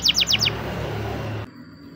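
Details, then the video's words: A Spanish Timbrado canary, possibly male, sings a training song in the morning: four quick, bright descending chirps in half a second, then a low steady hum. "the best canary training song in the morning! make your canary sing |spanish timbrado"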